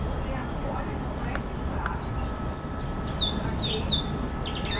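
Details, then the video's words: Sayaca tanager singing: a continuous run of thin, high, squeaky wavering notes, sliding up and down in quick succession, with a light background hiss. "SANHAÇO CINZENTO CANTANDO"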